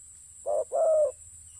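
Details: Spotted dove at a ground decoy site utters a single two-note coo, a short soft note then a longer, steady low note, in near silence.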